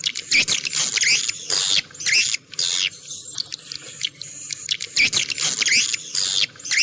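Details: Swiftlet lure sound: loud, grating chirp bursts in quick irregular groups, with brief silences every second or two and a scratchy, rustling quality throughout.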